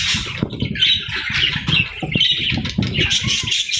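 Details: Budgerigar parents with their chicks during feeding and bonding: continuous warbling, chattering chirps with quick rising and falling notes, mixed with frequent soft thuds and fluttering sounds.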